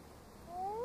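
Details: A common loon on Massabesic Lake, New Hampshire, on an August day gives a clear, mellow tone sliding steadily upward, the opening of a longer call, over quiet background hiss.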